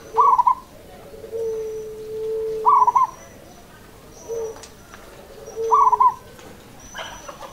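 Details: Local zebra dove giving its rhythmic cooing song, three short rolling, bubbling phrases roughly every three seconds, with soft quieter coo notes and a faint steady hum between them.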